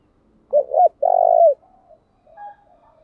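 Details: Spotted dove used as a decoy, cooing to stimulate wild doves: a quick rising-falling note joined to a longer, drawn-out low coo, then softer, fainter coos trailing after.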